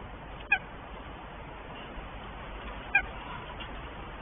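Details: Northern goshawks, a mated pair at the nest in Tartu, Estonia, before the first egg is laid; two short, bright, harmonic call notes roughly two and a half seconds apart against faint hiss.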